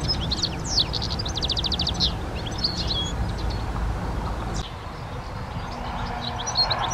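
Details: Garden-recorded European goldfinch song opening with a fast buzzy trill among bright chirps and twitters, then sparser high notes, with a constant low rumble behind.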